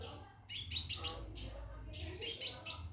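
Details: Caged scarlet minivet calling a female to mate: two bursts of rapid, high, sharp chirps about a second apart, with a brief thin whistle between them, over a quiet background.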